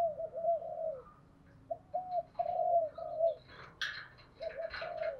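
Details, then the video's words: Spotted dove used as a decoy, calling to provoke wild doves to coo and approach: low, mellow coos in short repeated phrases over steady background hiss, with scattered higher rustling and chattering noises in between. "chim cu mồi thúc gù gáy gọi dùng kích bổi nhanh nổi gù"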